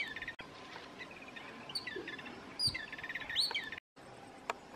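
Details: Jungle babbler chattering in fast runs of short, nasal notes repeated in quick bursts, with sharp high chirps from other birds cutting in and a brief gap of near silence near the end.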